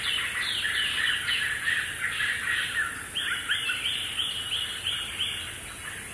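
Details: A pair of African hawk-eagles at Samburu National Reserve, Kenya, gives quick runs of shrill, yelping notes, about three a second, rising slightly in pitch partway through, over a steady background hiss.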